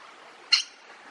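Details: A parrot gives a single short, harsh, high squawk, a brief burst in the middle of a quiet stretch with faint background hiss.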